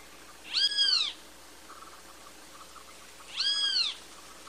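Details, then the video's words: Two separate, drawn-out, arched squeals from a great kiskadee (bem-te-vi), spaced about three seconds apart against a faint background hiss. "Great Kiskadee Bird Singing (Bem te vi)"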